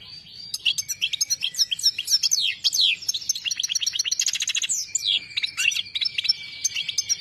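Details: Saira goldfinch song: a long, energetic chattering stream of quick high chirps, slurred downward notes and a fast rattling trill midway, ending in twittering phrases over a steady thin tone.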